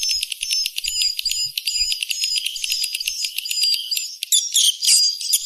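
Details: Lure recording for edible-nest swiftlets, with clean high-pitched twittering chirps repeated in quick rows and a buzzier, louder flurry toward the end.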